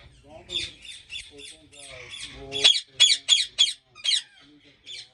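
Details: Rose-ringed parakeets at a large ringneck breeding farm in Pakistan give harsh, raspy squawks in quick bursts of about three a second, with several birds calling over one another and some low background noise.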